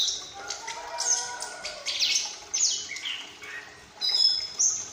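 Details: Captive young female orange-headed thrush, just past the juvenile stage, chirping actively and beginning to learn its full open ngeplong song: bright high chirps, sweeping whistles and scratchy twitters in quick irregular bursts.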